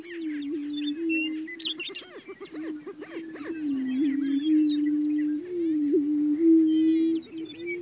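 Greater prairie-chickens boom with a deep, hollow, steady moaning hoot, with sharp cackles and whoops above.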